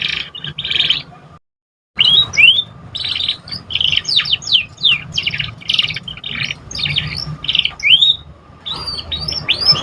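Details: Juvenile canary practising its first song, a dense, tumbling stream of sharp sweeping whistles, buzzy trills and chirps in uneven bursts, with a brief silent break near the start and faint low background hum.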